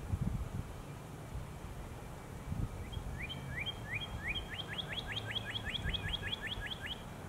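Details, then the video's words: A Northern Cardinal sings a speeding-up series of clear, downslurred whistled notes, around eighteen in four seconds, over a low steady rumble. "Northern Cardinal Singing"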